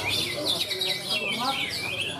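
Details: Greater green leafbird singing in the main cucak ijo class of a bird-song practice contest in Malinau, North Kalimantan, Indonesia: bright, rapid whistled phrases sweeping up and down, high-pitched and busy, with faint talking underneath.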